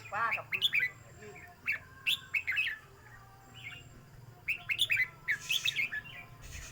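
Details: Song of a caged red-whiskered bulbul during a phrase-counting contest: clusters of sharp, rising and falling whistled notes separated by quiet gaps of a second or two, over a low background rumble.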